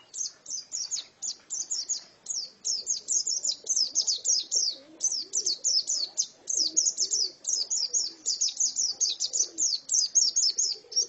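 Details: Song of a female white-eye, a fast stream of sharp high twittering notes in dense clusters, barely pausing, over a soft low background hum.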